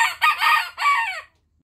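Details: A young rooster, a chick that has just grown old enough to crow, gives a short, hoarse crow in three quick parts, the last drawn out and falling.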